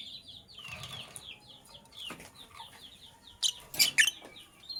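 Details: Lovebirds, Sky Blue Opaline and Cobalt, chirping in the morning: a steady run of quick, high twittering notes, broken near the end by a few loud, rasping squawks.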